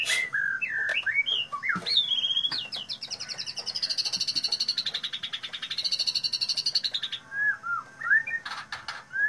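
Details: White-rumped shama in loud, shrill song: opening whistled slurs, then a long, rapid buzzy trill held for several seconds, followed by further short whistles and clicks.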